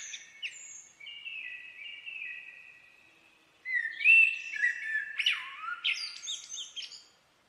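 A common blackbird sings: a long run of fluty, warbling notes, then a louder burst of varied phrases ending in high, squeaky twittering. No other sounds intrude.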